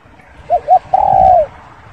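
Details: A single spotted dove phrase: two short soft notes followed by one long, smooth, slightly falling coo, clear against a quiet background.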